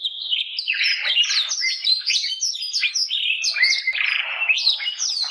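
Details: Canary of the Gloster or Yorkshire breed delivering a busy high warble of chattering slurred notes and short trills, steady in loudness without breaks.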